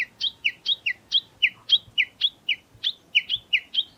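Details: Japanese bush warbler giving its valley-crossing call (tani-watari): a fast, steady run of sharp two-part notes, a lower chip followed by a higher one, about four per second throughout.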